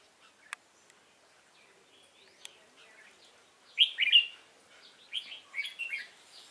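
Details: Wild-caught Red-whiskered bulbul kept in a cage, 22 October 2018, sunny and cold. After near silence and a couple of clicks, two bursts of loud, jumbled whistled notes ring out, the second more broken and chattering.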